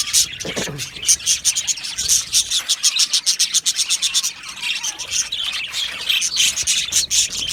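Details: Australian budgerigar colony in an aviary during breeding and mating, giving a dense chorus of high, rapid chirps and short tweets that overlap continuously, with pulsing bursts throughout.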